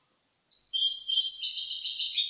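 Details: European goldfinch song from 2023: a sudden burst of bright, high, tinkling twitters and rapid trills starting after half a second of silence and running continuously to the end.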